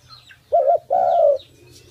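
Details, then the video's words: Single coo phrase from a tame pet dove: a short wavering note, a brief gap, then a longer steady coo sliding down at the end, with faint high twitters from other birds. "An Awesome Dove Sound"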